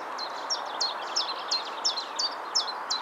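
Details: Common chiffchaff singing: a steady series of sharp, high, clipped notes, about three per second, with slightly alternating pitch. Faint rustling and background hiss underneath.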